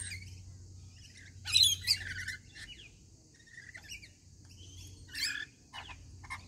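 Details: Rainbow lorikeets calling while being fed: loud scratchy screeches in clusters, the strongest near the start, then scattered shorter squawks over a quiet low background rumble.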